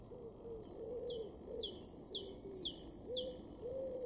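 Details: A Great tit (Parus major) sings in a garden in Weener, East Frisia, northwest Germany, in May 2022, repeating a bright two-part phrase with a high note sliding down about twice a second, while a dove coos low underneath.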